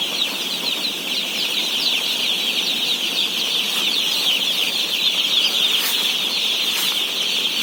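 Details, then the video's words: Day-old chickens being fed in a flock of 17,000: dense high cheeping from many chicks with individual rapid peeps audible, and two brief sharp clicks near the end. "BABY CHICKEN SOUNDS"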